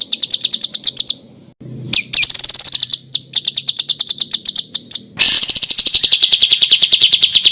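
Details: Small bird giving rough, rapid 'tembakan' bursts for contest-bird master training: fast high ticking trills, a brief gap, a short rising buzzy phrase, then an unbroken stream of quick chattering notes.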